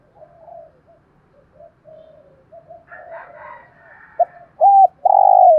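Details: Low murmured cooing from a decoy spotted dove, 'giọng thổ' voice, kept to lure wild doves into calling, with a brief rougher sound midway, then two loud coo notes starting a phrase at the end.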